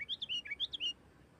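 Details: Sooty-headed bulbul song in the 'nggaruda tarung' style, used to lure and provoke other bulbuls into singing: one quiet, quick phrase of about seven bubbly, slurred notes lasting under a second, followed by silence.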